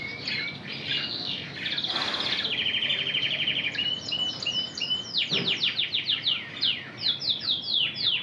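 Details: Canary of the red intensive colour, trained to sing Spanish Timbrado, delivers a sustained rolling trill followed by a rapid run of descending sweeping notes repeated several times a second.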